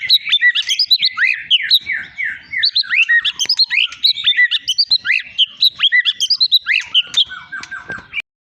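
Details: Long-tailed Medan white-rumped shama, a caged contest-winning songbird, delivers a melodious and highly varied song. Fast, dense bursts of whistles, chirps and slurred notes run continuously, then close with a lower series of short repeated descending notes before stopping abruptly.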